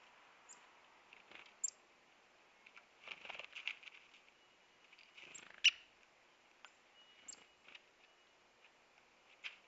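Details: Black-capped Chickadees at a backyard feeder in a residential neighbourhood of Manitouwadge, Ontario, on 8 December 2016 in winter, with birch and conifers nearby, give thin, very high chips and short buzzy bursts at irregular intervals, with soft rustling between notes.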